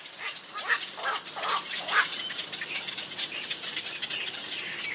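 Little Egret giving a few harsh, rasping croaks in irregular bursts over a steady high hiss, perhaps insects.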